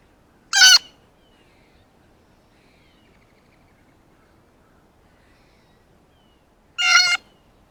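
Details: Blue jay feasting on a ripe banana for the first time lets out two loud grating screams about six seconds apart, with little else audible between them.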